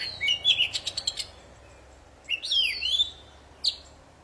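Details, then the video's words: Lively poci song meant to prompt silent birds to sing: a quick burst of clipped chirps, then a long looping whistled phrase rising and falling, and a final sharp note. "Suara burung poci super gacor cocok buat memancing poci macet jadi bunyi"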